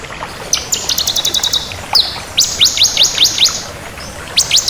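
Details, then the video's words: Bar-winged prinia of the crystal (kristal) type, singing vigorously: a high, bright series of rapid clipped notes, a sharp upward sweep, then fast downslurred whistles in a tight run, ending with more quick ticking notes. "Suara Burung Ciblek Kristal Gacor"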